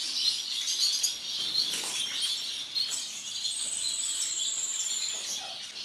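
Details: Masked lovebird of the violet mutation, a captive breeding specimen, giving high, thin chirps and squeaky notes in irregular quick bursts, with a long whistled tone near the end and steady background hiss.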